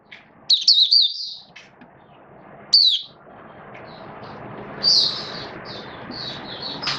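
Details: Hobby-kept oriental white-eye in a cage, build-up form, 19 September 2022: a few brief high twittering phrases and a sharp whistled slur, then scattered softer notes over steady background hiss.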